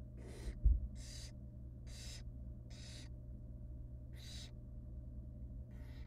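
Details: Nestling barn owls, wild, in a nest box while the female feeds them rabbit pieces; six broad rasping hisses come at roughly one-second intervals, with a brief thump early on and a constant low electrical hum.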